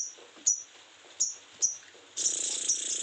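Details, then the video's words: Sogon in breeding condition, giving three sharp, very high chirps about a second apart, then launching into a loud, continuous buzzy trill. "sogon birahi kelewat"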